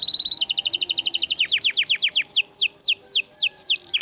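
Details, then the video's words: Vigorous canary masteran song to coax non-singing canaries: a short level trill leaps into rapid bright pulses, which stretch into slower repeated falling whistles, ending with a short high note and a drop. "MASTERAN KENARI GACOR !! Bahan isian kenari macet bunyi"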